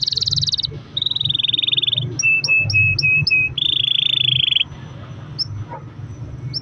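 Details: Canary lure song in the loud 'gacor' style: several buzzy rolling trills, each about a second long, separated by a burst of short repeated chips, then fading to scattered notes over a low hum.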